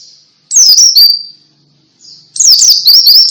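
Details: Ngalas-style white-eye song meant to set caged white-eyes singing. A quick high zigzag note trails off into a thin whistle, then after a pause a busy burst of sharp chirps follows.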